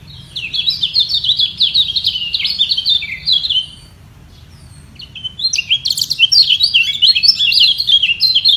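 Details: White-eye singing against a rival from a position below to defend its place at the top, neither giving way; fast high twittering phrases with slurred chirps, a pause, then a second burst of rapid warbling.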